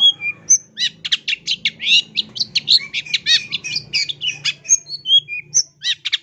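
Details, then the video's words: Loud, chatty long-tailed shrike song as training audio: a fast, rhythmic series of scratchy chattering notes with short high whistles at the start and end, over a soft low hum. "MASTERAN CENDET GACOR SUARA LANTANG"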